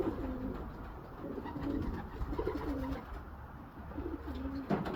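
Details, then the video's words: Young racing homer pigeons giving low, rolling coos in repeated bursts of about a second each, with short pauses between them over a constant background hiss. "up-down, young birds | Racing Pigeon | Homer | Kabutar"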